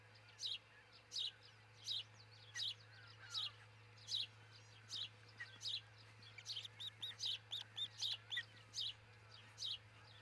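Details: Nesting osprey in Charlo, Montana, on a nest cam, 22 June 2018, early morning; sharp high chirps repeat roughly every half second to second, then quicken near the end, with a constant low electrical hum.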